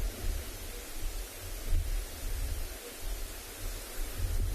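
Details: Low, gusting rumble of wind over a steady background hiss outdoors, with nothing else standing out.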